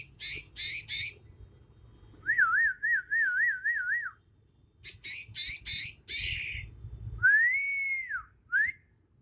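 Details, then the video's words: Wild young Bornean green magpie, natural song: harsh buzzy bursts, a wavering trilled whistle held for two seconds, more rasping notes, then a long arched clear whistle and a short upslur. "Suara asli alam cucak ijo kalimantan"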